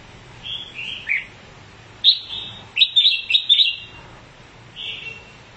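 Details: Red-whiskered bulbul, said to spread its wings each time it sings, delivers liquid whistled notes sliding downward, then a rapid run of loud, warbling, chattering phrases, and ends with a softer whistle.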